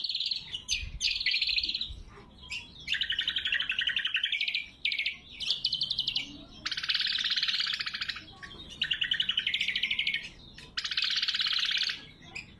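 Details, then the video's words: Greater green leafbird (cucak kombo) singing a loud, sharp, clear song, used as a lure for wild birds and as a training song for caged birds; dense buzzy trilled phrases in bursts of one to two seconds, separated by short pauses. "Suara Burung Cucak Kombo Gacor | Masteran & Pikat Cucak Kombo"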